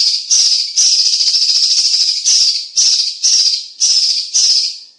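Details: Loud, dense Cucak cungkok song played as a tutor for competition songbirds: near-continuous harsh, sizzling high notes in bursts restarting about twice a second, with barely any pause between phrases.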